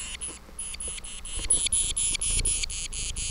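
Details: A titmouse, described as throwing a tantrum, gives a rapid series of harsh, raspy, buzzy notes, roughly three each second and steady in pitch, over low rumbling background noise.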